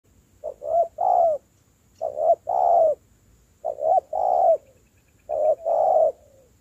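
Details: Spotted dove, a newly caught wild bird being trained as a decoy, cooing: four phrases, each with two short soft coos followed by a longer drawn-out coo, spaced about every one and a half seconds.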